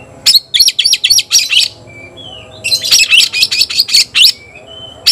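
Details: White-rumped shama in captivity calling an opponent to fight, with two bursts of fast, rasping chatter notes separated by a pause holding soft short whistles.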